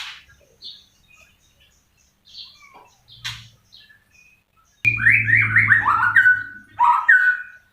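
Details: White-rumped shama song: scattered soft notes at first, then a loud burst of rapid downward-slurred whistles in quick sequence, ending with a second short flurry.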